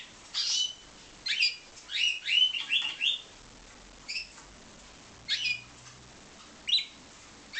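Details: Captive-bred pied Timbrado canary uttering bursts of sharp, high chirps, several run together in quick succession, then spaced single notes after a short gap; light room hiss behind.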